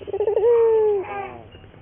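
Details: A single drawn-out coo from a local Barbary dove in a lure recording for training: stuttering, trembling start, then a long even tone that drops away at the end.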